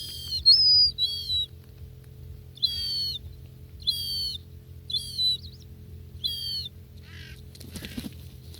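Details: Close-up gulls feeding in Northern Kazakhstan give a run of high, flat, nasal calls in paired bursts, some with slight downward tails, then a brief rustling flurry near the end over a faint low hum.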